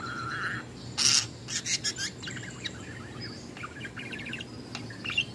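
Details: A female budgerigar singing, warbling with scratchy chirps, clicks and bright trilled notes in quick succession.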